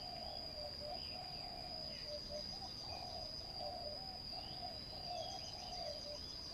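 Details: Cooing spotted dove used in ground decoy trapping. It gives repeated low, mellow phrases with wavering notes and short breaks. A steady high-pitched insect whine runs behind, with scattered thin bird chirps.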